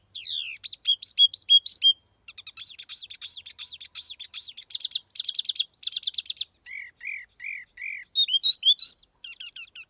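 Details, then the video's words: Tiểu mi laughingthrush kept as a lure, delivering a long, energetic medley: rising repeated whistles, dense buzzy trills, a few lower mellow notes and quick chirps, with no background noise. "TIẾNG CHIM TIỂU MI MỒI KHÔNG TẠP ÂM CỰC CHUẨN"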